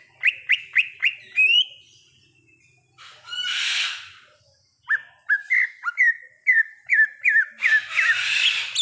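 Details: Wild greater green leafbird singing a lively series of sharp, bouncy whistled notes, some falling and some rising, broken by a burst of harsh scratchy chatter, then more quick whistles repeated in rapid runs.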